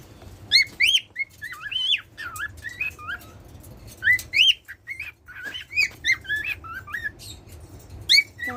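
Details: A pet cockatiel, which sings daily, gives a steady run of bright, warbling whistles, each note sliding up or down, with a brief lull midway and no other sounds.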